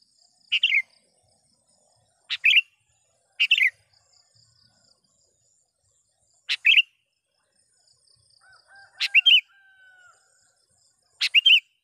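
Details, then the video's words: A gacor sooty-headed bulbul calls out to wild birds and rivals with brief, sharp chirped phrases of two or three notes, repeated at uneven intervals of one to three seconds, with a faint thin whistle near the end. "suara BURUNG KUTILANG gacor memanggil lawan"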